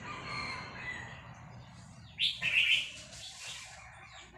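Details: Vietnamese red-whiskered bulbul answering a recording of newly hatched chicks with a single short, bright warbled phrase midway, set against constant background noise and faint fainter sounds.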